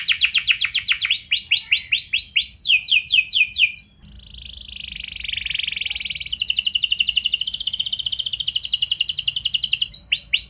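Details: Extended canary lure song in the luxurious long-burst style: rapid trills and sweeping note series, a softer buzzy passage near the middle, then a loud buzzing rattle and fresh whistled notes.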